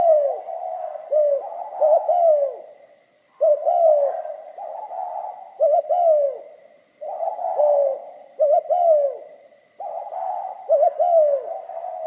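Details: Spotted dove repeating its 'giọng pha kim' cooing song: several phrases, each of quick double notes leading into a long falling coo, spaced about three seconds apart, with a faint high steady whine.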